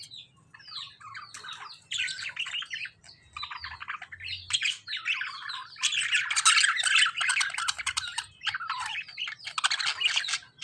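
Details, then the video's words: Harsh chattering from lovebirds fighting budgerigars builds from scattered chirps into dense, continuous, rapid screeching and twittering, growing louder in the middle and staying busy to the end. "Lovebirds fighting with budgies | Dangerous fighting in lovebirds and budgies | bird chirping sound"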